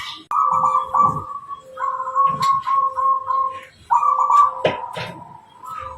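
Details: Local wild-type zebra dove in continuous song, of the kind used as a lure for wild birds: rolling trilled coos alternating with lower drawn-out notes, phrases running almost without pause, a few soft clicks.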